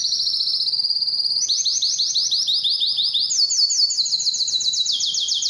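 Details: Canary song played to encourage other canaries to sing and mate: rapid rolling trills of repeated notes, high and sweet, stepping up to a higher tour midway, then shifting pitch again near the end.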